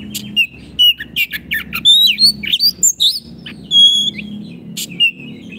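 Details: Singing Oriental magpie-robin (kacer gacor) used as a master for caged birds: a busy string of sharp clicks and squeaky notes, then sliding whistles and a long pure whistled tone, with a steady low hum behind.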